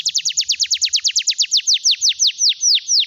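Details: Canary song for stimulating silent canaries: a clean high trill of falling notes, fast at first and slowing steadily to about three per second over three seconds.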